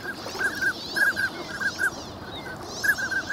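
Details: Ducks wintering on Lake Inawashiro, Nagahama, Japan, heard on a clear winter morning with an ECM-B1M microphone: clusters of short, bright, slightly nasal calls in groups of two or three, with brief pauses, over a soft constant rumble.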